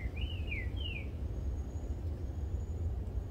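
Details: Two Green-winged Saltators counter-sing in the wild after rain, one answering another in the distance with the same song ending; three clear whistled notes, each swooping up then down, over a steady low rumble of traffic.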